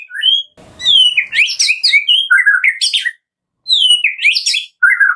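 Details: White-rumped shama, used as a lure recording to get shamas singing: rich, varied song of fast runs of clear whistles, rising slurs and harsh rattling notes, delivered in bursts with short pauses between phrases.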